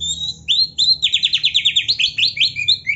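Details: White-rumped shama song played for training: a short whistled opening, then a fast run of downslurred chirps repeated about six times a second, ending in varied high whistles and a buzzy rising note.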